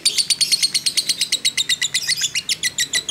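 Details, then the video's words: Fighter lovebird in long ngekek chattering, a lure recording: a very even series of sharp high chirps, about six per second, slightly rising near the end, with no other sounds. "pancingan lovebird JITU emosi ngekek panjang"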